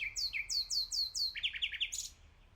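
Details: Common nightingale song: a series of loud, clear whistled notes sweeping downward, repeated about every quarter second, then shifting to a faster run of lower slurred notes ending in a brief high burst; quiet background.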